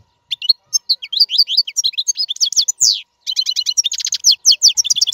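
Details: Song of a free-living royal goldfinch, used to train caged young birds: continuous fast twitter of high tinkling notes, slurred chirps and rapid trills, with one short pause midway.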